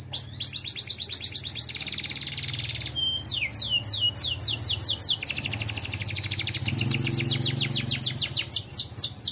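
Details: Canary song in the 'ting ting' style: long, fast rolls of repeated rising whistled notes, with sweeping trills and buzzy runs, over a low background hum.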